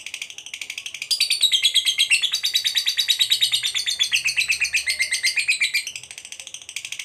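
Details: Fighter lovebird in a long ngekek trill, used to provoke other lovebirds to respond: a quieter start swells into loud, fast rasping pulses about three per second, the pitch slowly sinking, then easing off near the end.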